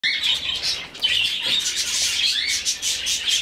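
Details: Rescued budgerigar chick being hand-fed gives a steady stream of harsh, raspy, rapid pulsing begging calls, with a few thin high chirps mixed in.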